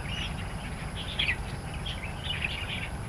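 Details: Starlings in the wild in Taiwan utter short squeaky chirps and twittering phrases in loose bursts, with quieter gaps between them, over a constant low hum.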